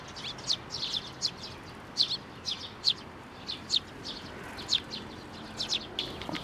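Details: Sparrows hopping onto an outstretched hand for food at a Tenmangu shrine, May 19, 2024; a steady run of brief high chirps, roughly one per second, with background noise.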